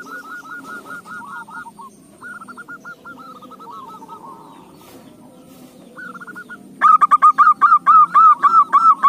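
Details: Zebra dove singing, used as a lure to set other doves singing. Several distant birds trade soft, clipped cooing phrases, then a loud, close bird delivers a rapid run of bright, ringing notes with chirps layered above.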